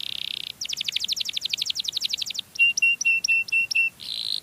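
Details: Canary singing to attract others of its kind: a buzzy trill, a run of quick repeated chirps, then six clear whistled notes evenly spaced, closing with another buzz.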